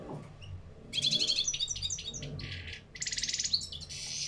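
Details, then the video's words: European goldfinch, small parva form, kept in a cage, delivering wild-type song with batbata and sitsita phrases: two long bursts of fast, liquid, buzzy twittering notes separated by a short pause, over low background hum. "غناء طائر الحسون في القفص بتبتة و ستستة"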